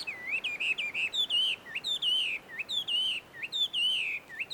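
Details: At a Tenmangu shrine surrounded by shady trees in Joso, Ibaraki, Japan, a wild Chinese hwamei delivers loud, rich whistled song: wavering, looping phrases repeated in quick succession with brief sharp upward notes between them.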